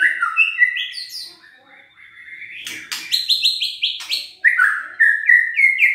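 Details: Murai batu, the white-rumped shama, singing to stir lazy, quiet birds into song; whistled slurs open, then a quieter gap, then rapid repeated bright notes and descending whistled runs.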